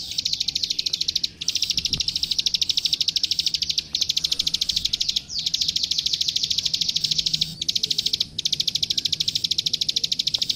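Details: Plain prinia, locally klik klik or prenjak sawah, in a master recording for training young birds: a long run of rapid, sharp, high clicking notes in a steady metallic trill, broken by a few short pauses, with faint low background hum.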